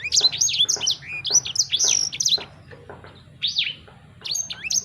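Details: Sanger bird uttering clusters of high, slurred whistled chirps, pausing briefly between phrases before starting again.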